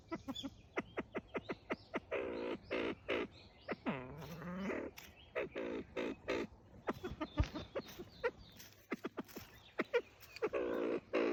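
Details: Copper pheasant giving calls and threat sounds: rapid bursts of dry clicking alternate with hoarse, rasping, grunting notes, some drawn out and sweeping, repeated throughout in an agitated, irregular stream.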